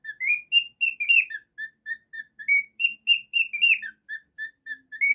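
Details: Domestic cockatiel calling in a steady string of short, clear whistles, some rising and slurred, others level and lower, roughly four per second in a quiet room.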